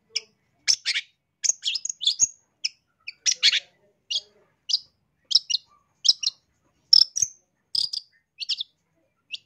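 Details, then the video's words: Long-tailed shrike song for training other birds: a lively run of high, sharp chirps and clicks, some in quick doublets, spaced irregularly across the recording with clean silence between. "MASTERAN CENDET GACOR SUARA LANTANG"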